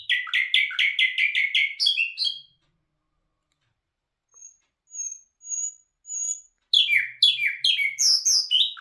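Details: Bulbul hazar dastan, the nightingale, delivers a rapid string of about eight identical notes, falls silent, gives a few thin high notes, then bursts into a dense, varied, tumbling phrase.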